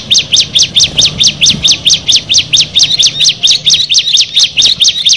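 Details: Bar-winged prinia from a group of six: sharp, rising high chirps repeated evenly, about four per second, loud and clear.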